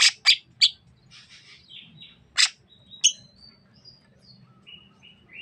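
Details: Sukamade-type greater green leafbird from Banyuwangi, East Java. Three sharp clicking bursts and soft buzzy twitters are followed by another loud click and a sequence of thin, high, drawn-out whistles.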